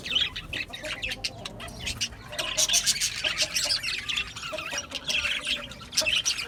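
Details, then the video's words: Budgerigars squawking and chirping, harsh grating notes overlapping with quick tweets in a steady, busy chorus. "Cute Budgies chirping Sounds | Budgies relaxing Sounds | Budgies parrots Sounds"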